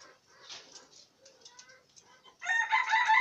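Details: Green junglefowl being trained. Faint, scattered harmonic notes give way, in the last second, to a loud, harsh, harmonic-rich call that holds steady until the end.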